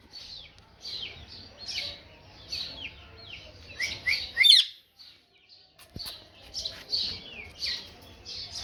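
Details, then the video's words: Parrot chattering with a rapid run of short, bright chirps and downslurred squeaks, one loud shrill squawk in the middle, a short pause, then more quick chirps. "Parrot Talking"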